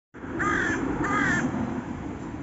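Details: Raven calling: two hoarse, drawn-out caws about half a second apart over a steady rumble of low background noise.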